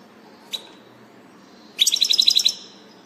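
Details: Wild European goldfinch, the first seen this year, on 6 April 2019: a single faint note, then a quick run of about nine bright tinkling chirps lasting under a second, in quiet surroundings.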